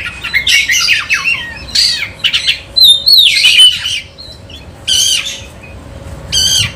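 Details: Oriental magpie-robin, a kacer in full song kept as a lure for other magpie-robins, tail spread: varied high phrases of squawky notes, whistled slurs and chattery bursts, fast and irregular, with a faint steady hum underneath.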